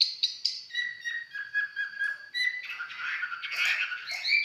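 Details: Red-whiskered bulbul, 'mộc chiến' bird seen close up and singing casually, gives short chirped notes, then a quicker run of slurred whistles that grows busier and louder; a thin steady high tone runs behind it.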